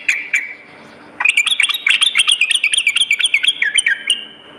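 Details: Sooty-headed bulbul singing at night: a brief whistle, about a second of quiet, then an energetic burst of rapid, rolling chirps that end in a drawn-out thin whistle.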